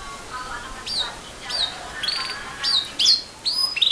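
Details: Canary giving a sparse string of high, sharp whistled notes and short downslurred chips, separated by brief gaps, over a steady background hiss.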